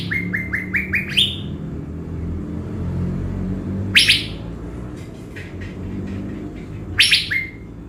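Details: Caged blue-winged leafbird kept as a lure bird in Bình Thuận, readied before a trip to the forest: a run of short downslurred whistles, then rising notes and bright buzzy bursts spaced several seconds apart, over a low rumbling background.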